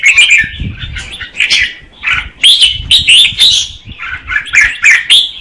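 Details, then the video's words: Red-whiskered bulbul, a female, sings to stimulate the male, giving loud warbled phrases in bursts separated by short gaps, over faint low thumps and rustling. "Chào mào mái hót kích trống Red-whiskered female"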